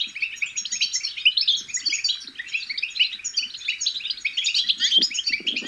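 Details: Babbling European goldfinch chicks, used to prompt adult goldfinches to sing: nonstop high, twittering chirps and fast trills layered over one another, with a brief low rustle toward the end.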